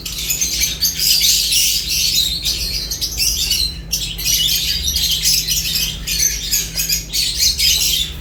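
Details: Several lovebirds chatter while eating: continuous shrill, scratchy chirping with brief pauses, over a faint constant low electrical hum.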